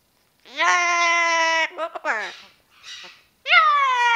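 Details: Ten-year-old female Amazon parrot kept as a pet, vocalising indoors: long, steady, harmonic tones held for about a second, then brief choppy syllables, a faint pause and a rich, slightly falling note at the end.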